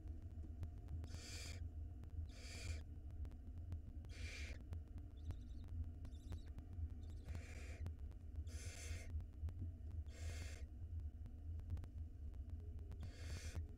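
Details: Young barn owl nestling on an Israeli nest cam in 2022 while swallowing a mouse; broad, noisy hissing bursts spaced one to two seconds apart, with a persistent low hum underneath.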